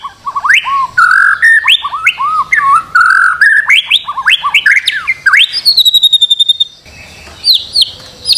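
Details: White-rumped shama song on a master recording meant to get a bird singing: loud, varied whistled phrases with slurred rising and falling notes in quick succession, then a fast, high, buzzy trill, followed by a few sharp whistles.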